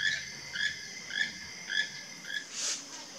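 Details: Pair of keel-billed toucans recorded in Puriscal, San José, Costa Rica, on 1 March 2023; a series of five short, hoarse croaking notes, evenly repeated about every 0.6 seconds, over faint background hiss.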